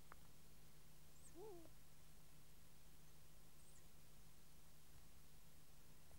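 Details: Long-eared owl at the nest in Kielder, Northumberland, recorded by a microphone placed with an infra-red camera: one short, low, rising-then-falling moaning note, a few faint high squeaks, and a steady low hum underneath.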